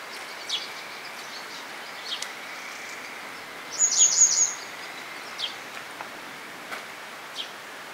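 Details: Grey wagtail recorded at Agano, Japan, on 16 May 2018: one short burst of sharp, very high, thin call notes, with a few faint high ticks scattered through a steady background hiss.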